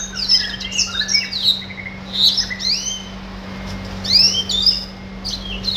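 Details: A pet red siskin (Spinus cucullatus) sings a fast, unbroken run of high twittering notes with quick rising and falling sweeps, over a steady low electrical hum.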